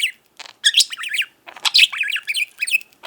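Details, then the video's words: Pet budgerigar indoors giving two short bursts of squeaky, twittering chirps and warbled notes separated by a brief silence. "Mango the incessant talking budgie"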